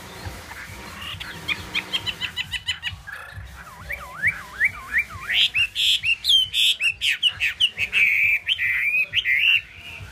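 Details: Song of a Chinese hwamei: a quick series of short repeated notes opens, followed by looping V-shaped whistled sweeps, then loud ringing high phrases repeated in rapid succession.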